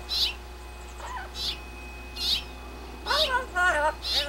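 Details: Blue-fronted amazon kept as a pet, chattering while out on its playpen: sharp high chirps spaced irregularly, then a burst of wavering, mewing whistled phrases near the end, over a low constant hum.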